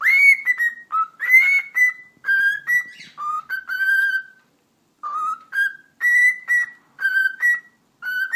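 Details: Household cockatiel's whistle show following its talking: a steady melody of clear whistled notes, rising and falling in steps, a brief gap midway, then the phrase resumes with similar repeated notes.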